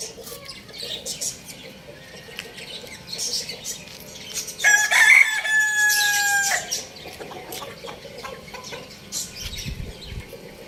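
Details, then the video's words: Rooster crowing: one loud, drawn-out, harmonic crow lasting about two seconds in the middle, set among scattered small bird chirps and faint background noise. "cute rooster crowing sound effect"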